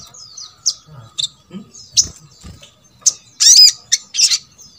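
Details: Sogok ontong song meant to stir quiet birds of its kind into calling: spaced, sharp high chirps and whistles, building to a brief burst of louder, rapid notes near the end.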